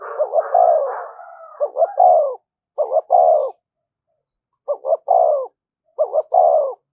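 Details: Spotted dove cooing in the 'thúc gù' manner used to lure wild doves. A longer blurred opening phrase, then three crisp phrases, each a double short hoot leading into a sustained low coo, set apart by silences.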